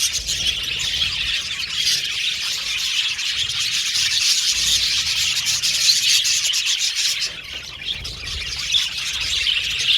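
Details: Budgie parakeets in an aviary colony produce a long, even stream of high, buzzy twittering, softening slightly toward the end before rising again.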